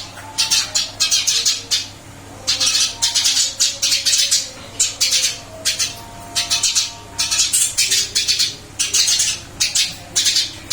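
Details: Caged Eurasian tree sparrow, recently moved to a new cage, still singing energetically: clusters of harsh, buzzy chirps in rapid bursts of three to six notes, separated by short pauses, over a steady low indoor hum.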